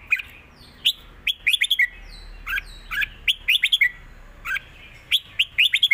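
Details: Red-whiskered bulbul in a looped southern Thai master song: crisp whistled phrases with short rapid runs of three or four chirps between single notes, steady quiet background.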